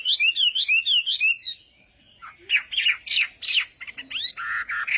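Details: Morning training song of a Chinese hwamei in a singing contest, with a rapid sequence of looping whistled notes, a short quiet gap, then harsher, more scratchy notes mixed with whistles.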